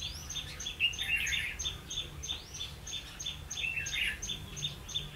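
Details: Red-whiskered bulbul acting as a trapping decoy, 16 October 2016. Two louder bursts of jumbled, bubbling warble stand out against a rapid, even series of sharp high ticks.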